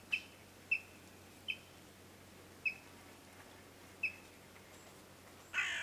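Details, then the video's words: A yellow-billed kingfisher gives five short, sharp, mid-high calls at uneven intervals in sunlight over a low steady hum, ending in a brief burst of noise. "Yellow-Billed Kingfisher's Melodic Calls"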